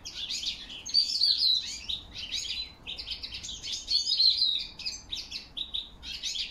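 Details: European goldfinch singing in autumn, October 2021, alongside whistles of a crested lark: fast liquid twittering phrases and tinkling trills in bursts with brief pauses, clear and high, over quiet background.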